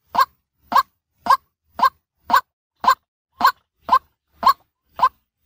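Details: White-breasted waterhen lure call, used by day: harsh, croaking two-part notes repeated steadily, about ten in five and a half seconds at nearly even spacing, with nothing else audible.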